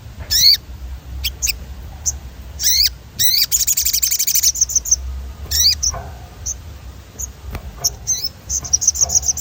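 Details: Sogon rolling song for training: sweeping, rising whistled calls and a dense high buzzing trill midway, followed by repeated short bright chirps, over low steady noise.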